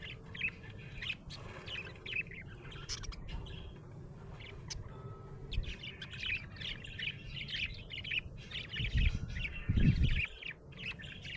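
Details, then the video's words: Happy budgie chirping at length: a lively run of squeaky twitters and warbled phrases, with low bumping and rumbling noises toward the end. "Happy budgie chirping sound"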